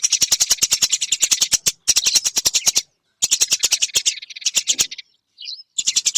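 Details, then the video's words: Eurasian tree sparrow training recording for songbirds: bursts of fast, scratchy chattering broken by short silences, with a softer buzzy stretch and a couple of isolated high chirps. "Masteran burung gereja durasi panjang"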